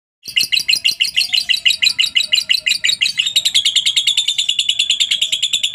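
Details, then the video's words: Lovebird singing a long ngekek, used as a lure to prompt other lovebirds to sing: rapid, shrill chattering notes repeated about three times a second, turning into a denser, steadier trill after three seconds. "pancingan burung Lovebird suaranya bikin lbmu ikut ngekek ,rajin bunyi pastinya ngekek panjang"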